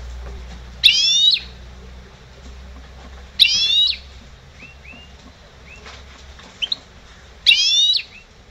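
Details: Trained caged goldfinch hybrid, a 2011 bird, giving three bright bursts of stacked, chattering high notes about three seconds apart, with a few short thin chirps between them and a low steady background hum.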